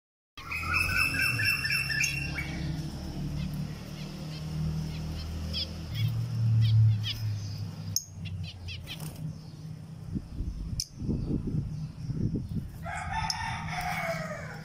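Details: Three two-week-old Zebra finch chicks give short, nasal, buzzy calls in quick bursts over a low rumbling background.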